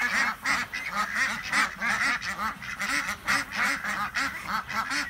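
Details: Loud, steady laughing quacks from a flock of 26 ducks out together on a Chilean farm, with strongly rhythmic calls repeating about twice a second and many birds overlapping.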